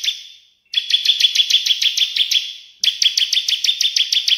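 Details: Cililin and bar-winged prinia calls together in a tutor recording for songbirds: a high, steady whistled tone overlaid with rapid, sharp chips about three per second, broken by a short pause.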